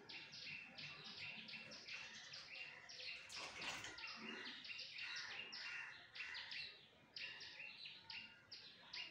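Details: Common myna (shalik), a talking pet bird from Bangladesh, bathing: dense, rapid harsh chirps and squeaky notes run without pause, with a brief splashing burst partway through.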